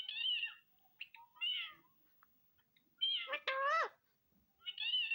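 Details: Pet Indian ringneck parrot, a talking bird kept indoors, giving harsh nasal rising and falling squawks in short bursts separated by pauses, with a brief louder bar-like note in the middle.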